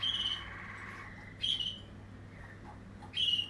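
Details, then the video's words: Waterslager canary from a 2020 line: a fading rolling trill, then short bright whistled notes at roughly one-and-a-half-second intervals over a quiet hum. "Waterslager 2020 stam"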